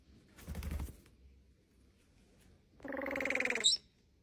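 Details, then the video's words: Starling singing: a short burst of low noise, then a harsh, buzzy, rattling phrase that ends in a couple of high squeaky notes. The setting is quiet. "Starling bird makes so many beautiful sounds"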